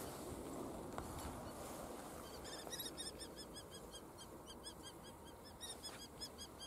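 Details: Wild Common Kestrels, two females in a fight at the Noordduinen near Den Helder in the Netherlands; after a couple of quiet seconds, a fast, shrill, repeated kee-kee-kee series starts and continues to the end over steady background noise.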